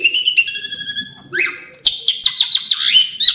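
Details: Asian pied starling singing varied phrases, a steady layered whistle, then a loud high sustained note broken by quick descending chips.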